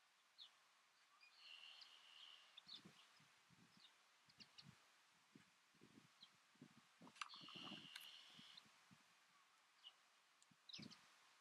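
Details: Trumpeter finch (subspecies amantum) on Fuerteventura, Canary Islands, in February 2007, giving two long, nasal, buzzing toy-trumpet notes about six seconds apart over faint rustling and low thumps.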